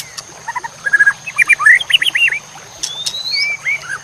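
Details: White-rumped shama song, a masteran tutor for competition birds: soft doubled notes building into loud looping whistles, followed by long thin rising and falling whistles.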